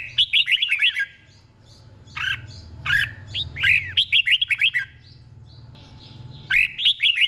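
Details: Red-whiskered bulbul singing the doubled style slowly and distinctly for caged birds to imitate: chattering whistled phrases, a few harsher notes in the middle, and another bubbly run at the end.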